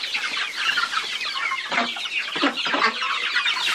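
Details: Chickens, many calling at once: a dense chorus of high, short rising peeps, with a few deeper, broader clucks breaking through now and then.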